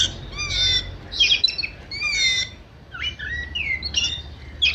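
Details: Oriental magpie-robin singing a lively, varied song: bursts of bright whistled notes and short buzzy, chattering phrases, some sliding up or down, separated by brief pauses, over a low steady background rumble.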